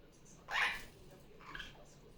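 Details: Pet female superb parrot calling loudly indoors during Sunday morning playtime after coming off her nest. A single harsh, raspy burst is followed by a fainter, shorter squawk a second later in a quiet room.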